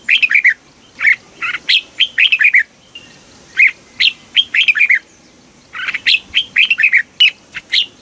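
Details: Red-whiskered bulbul song in the southern Thai master style, used to stimulate caged birds: clear whistled notes grouped into rapid phrases, rising and falling, repeated with brief gaps.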